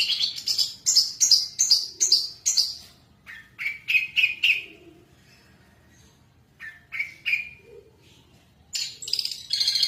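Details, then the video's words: Long-tailed shrike singing vigorously, a lure song for prompting other birds to sing. Quick bursts of harsh, scratchy chirps come in rapid runs, first high and then lower. Short silent gaps break the runs, and a final high chattering burst follows. "Pentet cendet gacor isian pancingan burung bahan pasti bunyi"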